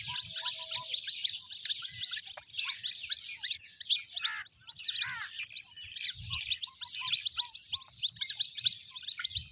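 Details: A brood of white-breasted waterhen chicks calling: loud, high, upslurred peeps packed closely together, rising and falling in intensity over several seconds.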